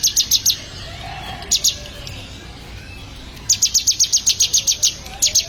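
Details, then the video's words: Bar-winged prinia, called ciblek, kept for song training: brisk series of high clipped chirps in groups, a brief soft lower note between, and a long even run near the end. "Melatih Burung Ciblek Agar Gacor"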